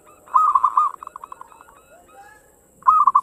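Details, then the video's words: A local zebra dove (perkutut) coos a quick run of soft, mellow notes that fades out, then after a short pause starts a fresh burst, with a faint high hiss in the background. "Suara perkutut lokal gacor ngayer engkel cepat mengajak gacor"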